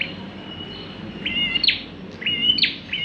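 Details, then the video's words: Bar-winged prinia in lively song, suited as a lure: faint flat whistle then two paired phrases of level high notes ending in sharp falling sweeps, about one second apart. "prenjak klawu gacor cocok buat pancingan"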